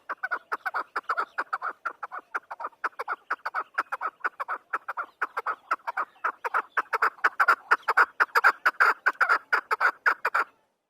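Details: Chukar partridge (Alectoris chukar) gives a fast, steady run of dry, clucking chuk notes, several each second, building slightly louder over ten seconds.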